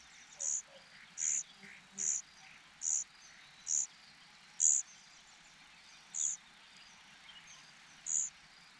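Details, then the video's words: Unfed cuckoo chick in a foster nest. Evenly spaced, brief, high, hissy begging notes come about once every second or less, with quiet background between them. "Cuckoo birds are so hungry.Bird parents only feed their own children鸟爸鸟妈只喂自己的孩子，杜鹃鸟饿得推小鸟都没力气"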